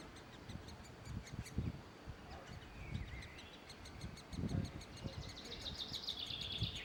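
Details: Great spotted woodpecker feeding its young: a rapid, steady run of high, scratchy chirps that swells and grows busier toward the end, over a low rumbling background.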